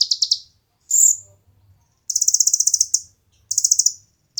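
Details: Kolibri ninja (konin) singing as training material for competition birds: short, fast, buzzy high trills, each close to a second long, broken by brief pauses and one clear whistled note.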